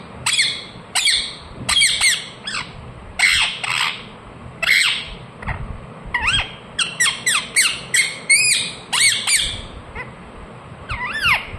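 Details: Indoor pet ring-necked parakeet, a talking parrot, chirping in irregular bursts of shrill falling squawks, some quick doubled notes and a rising whistle near the end, over low room noise.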